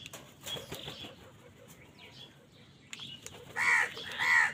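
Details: Crows squabbling over food: flapping and faint chirps at first, then two loud, rasping caws near the end.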